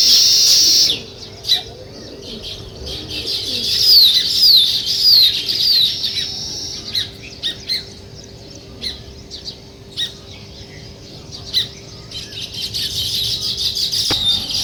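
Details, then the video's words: Sparrows chirping on a village morning: a burst of busy high chatter with a few descending whistled notes, then scattered single chirps every second or so, ending with a sharp click. "Sparrow Morning Chirping Sounds"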